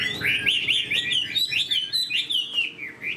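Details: Caged Chinese hwamei, kept for fighting, delivers a lively series of looping whistled notes, rapid and bright, with short gaps between phrase groups.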